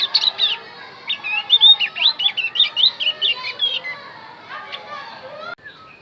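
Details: Javan grey-throated white-eye song used to lure wild birds: a quick run of high, twisting whistled notes for about four seconds, then scattered faint chirps.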